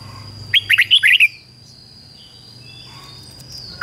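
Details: Red-whiskered bulbul singing as a decoy to lure wild ones, delivering one fast run of six bright, warbled whistles followed by near silence and a steady high-pitched whine.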